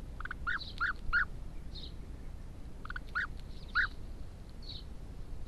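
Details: European bee-eaters, known in Portugal as Belharuco, nest building on rural land in the Algarve near Sao Marcos da Serra; short liquid trilled notes given in two loose groups of three, with soft low background rumble.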